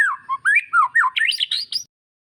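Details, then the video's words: Magpie-robin phrase used to encourage a quiet bird to sing: a short burst of climbing, slurred whistles and squeaky notes that stops abruptly into silence. "Audio Refleksi atau latihan untuk burung murai yang mogok bunyi"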